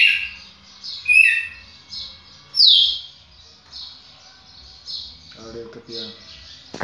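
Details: Red-cowled cardinal delivering whistled, slurred song phrases, some strong and some softer, with a brief low harmonic sound near the end.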